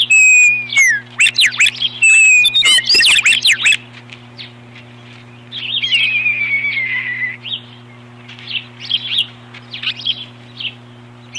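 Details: Nest-defending ospreys on 21 April 2015 as one chases off an intruder: loud, dense burst of high shrill whistles and chirps, a long falling whistle, then quieter scattered chirping over a low hum.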